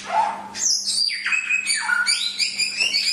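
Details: Samyong, the Chinese hwamei, tutor song: a low soft note, then a burst of high, bright whistles and quick trilled phrases with overtones, loud and continuous over a faint hum.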